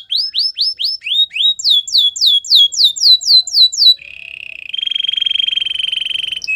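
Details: Canary singing indoors: a run of rapid, repeated down-slurred whistled notes about four per second, then a long, fast buzzy trill held on one steady pitch.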